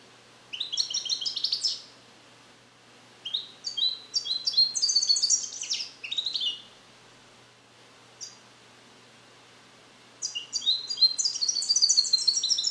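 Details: Young captive-bred European goldfinch in a carrier, trained on Neapolitan song passages and still learning them: three bursts of rapid liquid twitters, chirps and buzzy rolls separated by pauses, with a lone chip between, over faint steady hiss.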